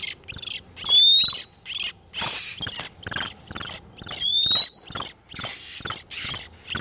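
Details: Male and female oriental magpie-robins in breeding condition, lure for catching wild birds; rasping high-pitched bursts in quick succession, broken by two thin, pure upward-sliding whistles.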